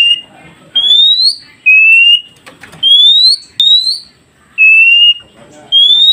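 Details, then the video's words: Oriental magpie-robin song played to train new wild-caught birds to reply: a slow series of pure whistles, some rising steeply and others held level, separated by short pauses. "Dengarkan KACER ini Agar Kacer hutan Baru Dapat Cepat nyaut"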